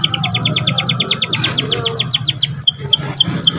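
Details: Young canary singing, provoked to sing: rapid repeated high chirps in a fast trill, shifting into descending whistled notes, over a low hum and faint background music.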